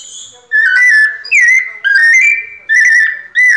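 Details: Pianado song of a White-necked thrush, a steady run of pure whistled notes, some level, some gently rising or dipping, delivered in short phrases of under a second with brief breaks.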